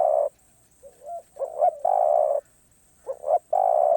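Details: Spotted dove singing คารมป่าร้อย: soft opening notes, then quick wavering double coos leading into long, steady, hollow coos, repeated twice.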